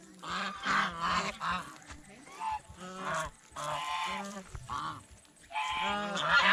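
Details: Geese eating bread and fresh vegetables at a fish pond give a run of short nasal honks, several birds overlapping in bursts separated by brief pauses, with a rising, louder chorus near the end.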